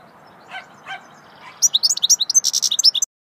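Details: Goldfinch giving swittey song: two or three faint lower notes first, then an abrupt run of fast, high, metallic twitters and chirps for over a second, cut off sharply.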